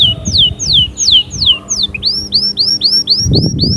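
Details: Canary song phrase of clear descending whistled notes repeated about twice a second, switching to short upswept chirps in a quick series, with faint low rumbling background noise.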